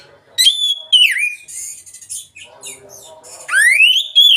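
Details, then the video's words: Lure song of an oriental magpie-robin, ngeplong style, meant to trigger birds that hardly sing. Long sweeping whistles fall and then climb steeply, separated by softer scratchy chatter and a faint lower murmur. "pancingan Kacer bahan susah bunyi#ngeplong"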